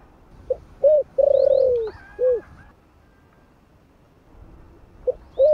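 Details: Spotted dove cooing in the 'thổ' (earthy) voice style, kept to lure wild doves: mellow low coos in a short-long-short phrase, the long middle note falling, then a pause before soft coos resume; faint high chirps above.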